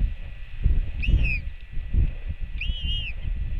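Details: Two drawn-out, bowed cries from a royal albatross chick skycalling to welcome its returning mother, filmed by nest camera in New Zealand on 24.06.08; the second cry is longer and wavering, with strong wind noise throughout.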